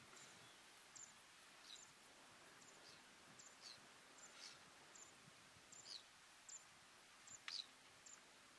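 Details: Little stint (Calidris minuta) in the Ebro Delta, Spain, in August 2015, giving short, thin, very high 'stit' notes about once a second over a steady soft hiss of wind and rustling.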